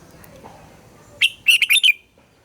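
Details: Red-whiskered bulbul challenge-style morning song used to train captive birds: one short, bright phrase of five rapid warbled notes after faint background murmur, about three quarters of a second long.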